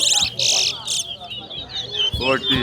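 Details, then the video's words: Caged towa towa singing in a singing competition: loud, rapid bursts of high warbled and trilled notes, with a brief low thump and faint voices beneath. "TOWA TOWA BIRD SINGING COMPETITION"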